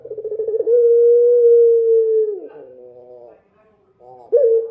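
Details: Dove singing at night, a long, steady, hooting note held for about two seconds, then softer broken notes and a short loud coo at the end; no other sounds.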